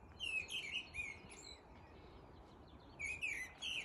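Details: Mistle thrush giving its melodic courtship song in midwinter, heralding the coming of spring: short, high, fluting phrases in two bursts separated by a pause of over a second, heard at a distance over steady low background noise.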